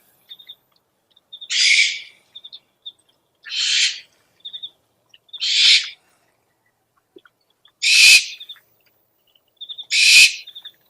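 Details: Owl lure call: five harsh, hissing screeches about two seconds apart, each roughly half a second long, with quick high triple chirps and ticks between them; no other sounds.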